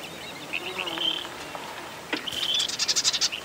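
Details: Marsh wren closing with a fast, pulsing, rattled trill of about a dozen notes, preceded by thin whistled notes from other birds in a quiet background.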